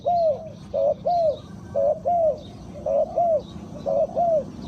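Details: Spotted dove used as a decoy to lure wild birds, cooing in paired phrases: a short note then a longer, slurred, rising-falling coo, repeated about once a second. Faint high chirps of other small birds sit behind it.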